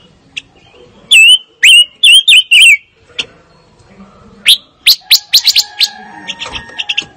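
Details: Fire-tailed myzornis: a burst of four loud, sweet, slurred whistles in just over a second, then a pause and a scatter of sharp high ticks, with a faint steady tone underneath.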